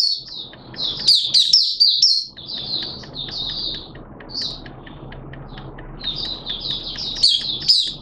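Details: Oriental white-eye from Malaysia, a hobby bird, sings in high clustered twitters, loud at the start and end and quieter in the middle, over a steady low hum.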